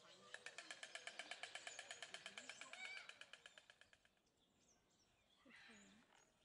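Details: White storks at a zoo in Upie, Drôme, France, during the March-to-June breeding season: a rapid run of about thirty dry, wooden bill-clatter knocks in under four seconds, fading at the end, followed by quiet rural background with faint bird calls.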